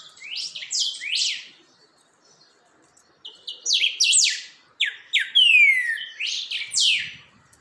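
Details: Chalchalero (creamy-bellied thrush) practising and steadying its song: repeated groups of high, steeply dropping whistled notes, one long clear down-slurred whistle near the end, with short silent gaps between phrases.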